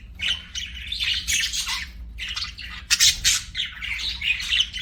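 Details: Budgies chirping as pets: bubbling, scratchy warble phrases with squeaky high notes and a short pause midway, then louder chatter.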